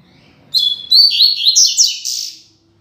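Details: A seedeater sings the classic "Tui Tui Zel Zel" song used for training coleiros and papa-capim: a high, clear long whistled note, then quick rising and falling phrases and buzzy trills for about two seconds.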